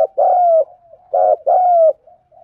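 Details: Two low spotted dove phrases in the thúc gù style, each a brief vibrating note and a long mellow downslurred coo, with soft murmuring coos trailing between and after.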